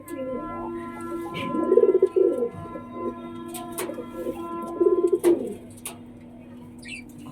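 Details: Domestic pigeon cooing indoors while chasing other pigeons away, amid pairing with a mate, with eggs expected soon; two bursts of low, throaty, rolling coos about three seconds apart over a steady electrical hum and a few sharp clicks.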